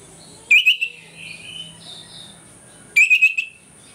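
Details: Orange-headed thrush singing in the morning, used as a lure to rouse other birds to aggression; two short, loud trilled bursts about two and a half seconds apart, softer warbling between, over a steady high electronic tone and low hum.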